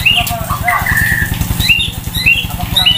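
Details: Sunbathing by a main road, a white-rumped shama with a loud, many-voiced song gives brief high whistles and a slurred longer phrase, notes spaced irregularly over a low continuous throbbing hum.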